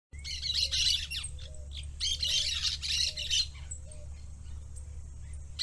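A parakeet chatters in fast, scratchy bursts of squawks and warbles, with brief pauses between runs, over a steady low indoor hum.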